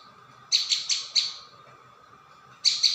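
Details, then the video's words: Lure call of a prinia: a short burst of four bright, high chirps, a pause, then a new burst starting, with a low background hum. "Mp3 pikat burung ciang"/ prenjak bawah"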